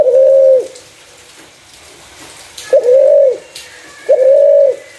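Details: Spotted dove with a clear voice used as a lure for other doves: three smooth, steady, mid-pitched coos, each about two-thirds of a second, separated by pauses of one to two seconds, with a quiet background.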